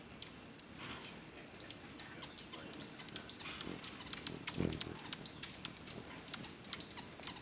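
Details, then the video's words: Hummingbirds at feeders at Finca Pura Vida, Costa Rica, sometimes over 50 at once, mostly Green-breasted Mangos with other species, give thin, very high chips and squeaky twitters in a busy overlapping scatter, with soft clicks and a low background rumble. "Hummingbird Frenzy"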